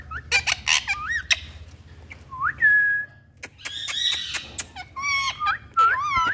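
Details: Parrots in India exchanging calls, sharp chirps and clear whistled phrases that rise and fall, with short bright notes between them.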